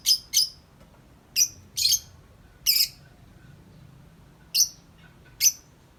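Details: Long nonstop 'ngetik' chattering from a tame lovebird outside the cage: piercing high chirps, singly and in pairs, irregularly spaced over several seconds.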